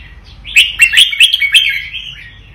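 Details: Vietnamese-type red-whiskered bulbul in a cage gives a vigorous doubled song, a rapid burst of five loud, liquid, chirping whistles run together into one rolling phrase.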